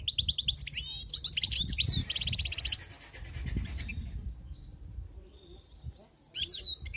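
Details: Wild-caught goldfinch song: quick sliding chirps, a scratchy buzzing rattle, then a pause before a final burst of high twittering notes, with low background rumble and handling noise.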